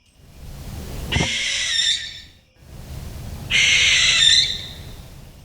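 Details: Barn Owl screech call, given at night during hunting or territorial disputes: two long, harsh, hissing, raspy screams about two seconds apart, each rising slightly in pitch, over a faint low background hum.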